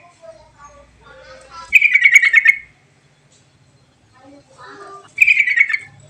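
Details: Sooty-headed bulbul lure song, used to stimulate lazy bulbuls to sing: soft, varied low whistled phrases, then two loud, dense buzzy trills lasting under a second each, separated by a pause of about two and a half seconds.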